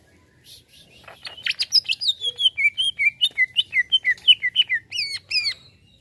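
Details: Greater green leafbird singing in response to a played sound. Faint buzzy notes lead into a fast string of sweet, slurred whistles, up and down in turn, finishing with two strong descending whistles. No other sounds are clear.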